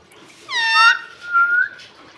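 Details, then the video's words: A pet talking parrot gives a clear whistled note that slides upward, then holds a steady, slightly rising tone, all within about a second, in a quiet setting. "Talking Parrot Mitthu Mitthu 😘 Bolne Wala Tota 🥰 Mummy Mummy Bolne Wala Tota"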